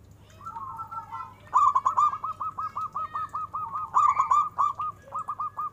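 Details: Zebra dove, local strain known for a big voice, delivering a long, rapid string of choppy hollow coo notes, roughly three to four per second, with a faint steady hum underneath.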